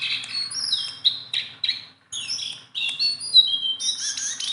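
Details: A hand-tame Sunda bulbul in full, persistent song delivers choppy bursts of high whistles and chirps, with a brief silent gap midway, then dense overlapping notes resume.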